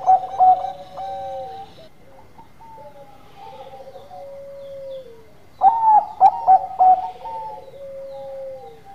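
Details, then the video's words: Zebra dove of the Bangkok type singing gacor manggung: a drawn-out soft coo with a falling tail, a pause of quiet notes, then a loud stuttered burst of three or four bright ringing notes. "Perkutut Bangkok Gacor Manggung"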